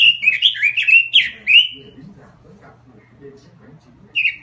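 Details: Caged robin in a small cage gives a fast string of lively whistled warbles, then falls silent while people murmur, before one last short phrase.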